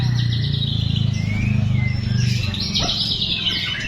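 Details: White-rumped shama song: clear sliding whistles, followed by a burst of sharper, rising and falling notes, over a constant low droning hum.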